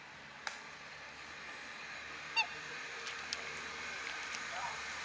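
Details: A black swan, one of a pair at Fagaras fortress, gives one short, nasal, slightly falling bugle note, with a few faint clicks and a steady background hiss around it.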